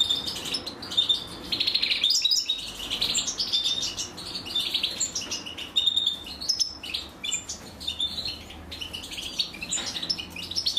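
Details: European goldfinch mother feeding chicks, with high twittering begging in irregular bursts and short pauses throughout, and a soft flutter of wings among the calls.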